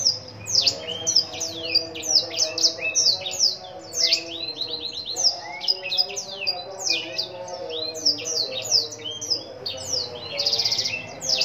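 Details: Black-throated canary kept in Lumajang, Indonesia, in a long, fast, vigorous song: dense runs of high, sliding whistles and rapid trilled chips in an unbroken flow, with a faint low hum in the background.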